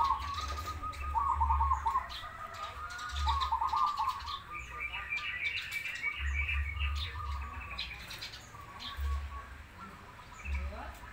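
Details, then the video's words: Zebra doves, a crossbred bird against a local one, singing actively: repeated rapid, pulsing cooed phrases at a steady mid pitch, several in a row with short gaps, over chirping from other small birds and a low rumbling hum. "Perkutut gacor Krosing Vs lokal"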